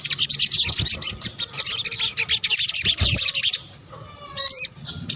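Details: Sunbird, or sogok ontong, in a lure call mix: fast high chattering for over three seconds, a quiet pause, then a loud looping whistled flourish and another brief burst.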